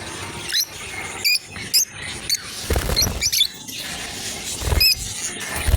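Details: Lovebird pair at play, with short, piercing chirps spaced about every half second to second, each a single bright squeak over steady low background noise.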